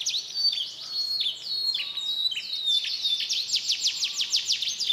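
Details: Indonesian canary from Pemalang, Central Java, with a medley of imitated songs: descending slurred notes and thin whistles, then a quickening series of rapid down-sweeping notes toward the end.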